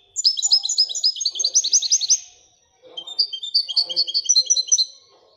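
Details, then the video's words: Royal European goldfinch song in two rapid twittering phrases of bright, tinkling high notes separated by a short gap, with soft low background rustles. "Le twitter et chardonneret royalتغريد طائر الحسون الملكي"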